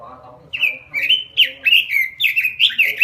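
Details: Robin singing in full, lively voice, a prized bird of Indonesian songbird keepers: after a half-second pause, a fast run of clear, warbled whistled notes, each slurred up and down, tumbling into one another to the end.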